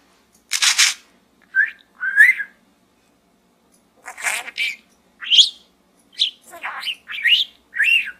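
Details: Pet budgerigar talking from inside a small gourd: scattered short chirps and rising whistled notes with one harsh buzzy burst at the start and quiet gaps between phrases.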